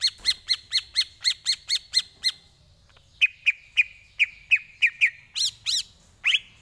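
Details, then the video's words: Greater green leafbird song meant as training material: a steady string of sharp ticking notes about four per second, a pause, then clear slurred whistles repeated at an even pace and a final rising note. "Lagunya Masuk ini Bos, Enak buat masteran"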